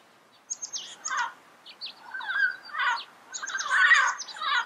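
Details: Parrot chatter in the wild from yellow-headed parrots: scratchy squawks building to a dense harsh burst at the end, mixed with high sharp chirps from other birds.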